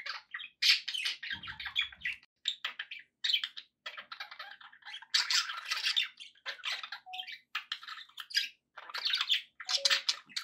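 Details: Pet budgerigars keep up a long, busy chatter of buzzy squawks, clicks and high chirps that runs almost without a break, with a brief low thud early on.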